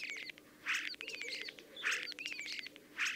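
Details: Common Starling giving harsh rasping bursts about every second, linked by thin whistles and clicking ticks, with a low hum in the background.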